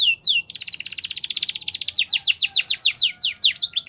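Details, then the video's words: Champion Belgian canary song for young canaries in training, a long fast buzzy trill of high notes moving into slower repeated downward whistled strokes. "Canary Training Champion Song | Belgian Canary"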